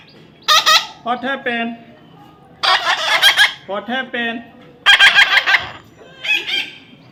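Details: A baby parrot during taming gives loud grating screeches interleaved with shorter, stepped, voice-like tonal calls, in three bursts with quiet gaps.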